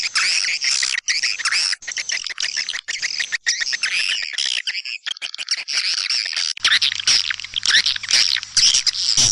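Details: Lure call of the Kaltimtara style for white-nest swiftlets, tested in East Kalimantan for swiftlet houses. Thick, continuous high twittering and rasping chirps, then a steady low electrical hum joins in the later part.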